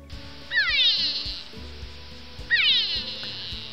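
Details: Grey go-away-bird (Corythaixoides concolor) call: two drawn-out, nasal, cat-like wails about two seconds apart, each sliding downward, over a low background hum.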